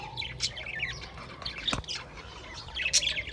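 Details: Budgies on 28 April 2023 make scattered high chirps and a few rasping squawks, with one sharp piercing note toward the end over a faint background hum.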